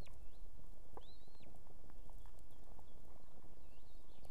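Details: At an Estonian osprey nest with two chicks, the female calls the male to come with food in the evening: a drawn-out arched whistle near one second, then faint scattered whistles, beneath heavy low rumbling noise.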